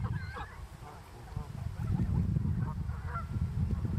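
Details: Hybrid of Canada goose and greylag goose, Greater Stockholm near lake Mälaren, summer 2020, with four hybrid goslings. Occasional thin rising calls stand above steady low wind rumble.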